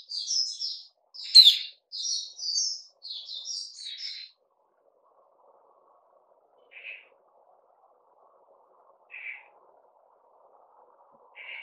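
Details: Caged bulbul opening with several quick, bright warbled phrases, then falling mostly quiet apart from three short, isolated chirps spaced a couple of seconds apart.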